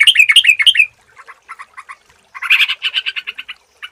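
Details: Yellow-vented bulbul used as a clear lure sound to stir singing. A quick rolling chatter of looping notes gives way to short spaced double chips, then a louder buzzy rattling burst of repeated notes.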